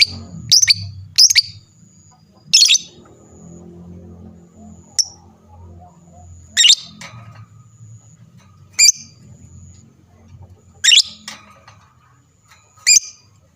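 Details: Lovebird singing so that other lovebirds answer: scattered sharp, squawky chirps and short doubled notes, widely spaced with quiet gaps between them.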